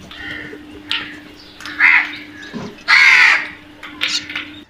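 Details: Crows calling while attacking food: harsh, raspy caws in irregular bursts, the loudest near the second and third seconds, with a steady low hum running underneath.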